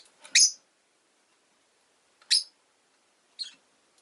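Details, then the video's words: Rosy-faced lovebird, a pet parrot, gives three loud, harsh, shrill chirps spaced about a second or two apart, the last one softer, with silence between them. "Lovebird Chirping Sounds"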